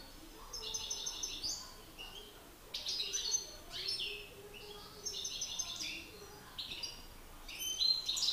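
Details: Two male European goldfinches duelling in song, a master bird facing an excited rival: repeated phrases of tinkling, twittering notes and short buzzy trills, roughly every two seconds.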